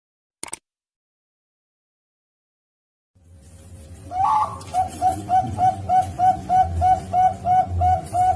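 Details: Bangkok-bred zebra dove from a breeder in Pasuruan, East Java, Indonesia, a male or his two offspring hatched 31 March 2022; after a brief click and near-silence, a rapid run of short cooing notes repeats about three per second.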